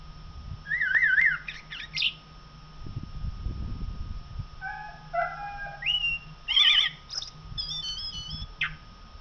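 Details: Common blackbird song: a short wavering whistled phrase, then fluty notes at varied pitches that end in a high squeaky twitter, over a steady low hum and faint rumbling.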